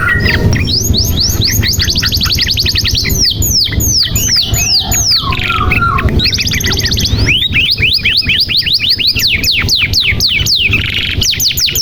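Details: Canary song used as a lure to get a silent or young canary singing: rapid rolls of steep down-slurred whistles, fast trills and high buzzy phrases over a steady low hum.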